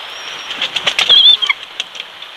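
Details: Bald eagle at the Big Bear nest in California, where the male arrives with a fish and the single chick is fed: a thin high whistle and quick chirps over steady hiss, with rustling and knocking.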